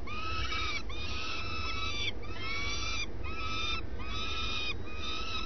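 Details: Early-morning common swift at the nest: five or six loud, rasping screeches with a rising-then-falling tone, about one per second, over a steady background hum.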